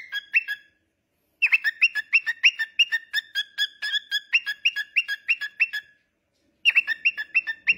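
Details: Pet cockatiel whistling a lively tune: rapid repeated whistled notes, about three per second, alternating between two pitches with short rising slurs, then a brief pause and a final burst.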